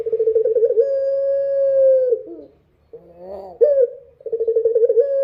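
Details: Dove, called puter, singing at night: fast throbbing mid-pitched coos run into a long steady held tone, then a gap, a short slurred note, and the throbbing coos begin again. Faint low hum underneath.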